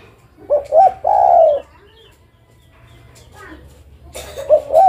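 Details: [4, 'Spotted dove hen calling the male: paired short hooting coos lead into a long smooth croon, then quiet murmurs and a clatter before the double coo starts again.']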